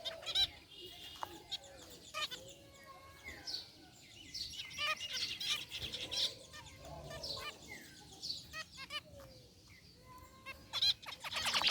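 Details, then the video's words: Zebra finches, white and gray birds including a rare white one, chirping in a cage: irregular bursts of short high chirps and nasal harmonic calls, separated by brief pauses, with soft wing flutter. "Cute Zebra Finches in Aviary | Relaxing Bird Chirping Sounds"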